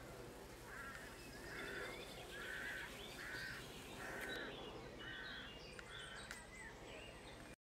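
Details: White stork chicks receiving food on the nest, soon to fly, make a regular series of short, nasal, mewing calls about once a second, followed by a few clicks before the sound cuts out.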